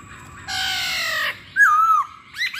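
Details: Masked laughingthrush giving a harsh, broad rasping note lasting under a second, followed by a clear, slightly descending whistle and a short upward chirp.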